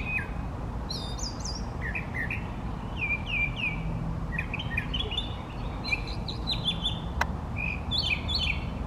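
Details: Male brown thrasher singing from trees in easy view, part of a performance lasting fifteen minutes or more: a rapid run of varied, clear whistled and chirping phrases, many given in quick pairs, over a steady low background hum.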